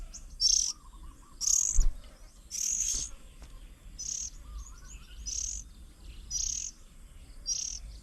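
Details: At a garden bird table near Chiang Mai, Thailand, on 8 June 2022, Oriental magpie-robins feeding young; short scratchy high bursts, roughly one per second, louder at first, with soft low cooing and a couple of knocks.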